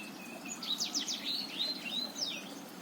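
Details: Black-throated canary of Botswana type in song, played to draw a lazy male into singing; a rapid cascade of high slurred notes runs into a drawn-out sweet whistle and a final sharp rising note.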